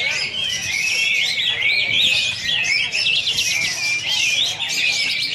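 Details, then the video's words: Kapas tembak bulbul, a singing-contest champion, delivering besetan singing at a launch event in Singkawang, Indonesia: rapid, crowded high warbling with zigzagging whistled phrases running continuously throughout. "Besetan Kapas Tembak Juara"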